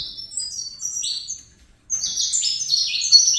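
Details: Captive-born juvenile Saffron Finch giving a short fibra song fragment: high sliding whistles and chirps, a brief silence, then a loud dense burst of rapid, buzzy notes.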